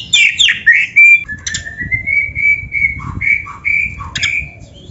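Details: Oriental magpie-robin (kacer) song used as a training recording for other kacer. Chattering notes open into a long steady whistle, followed by a series of short clear whistled notes dipping lower.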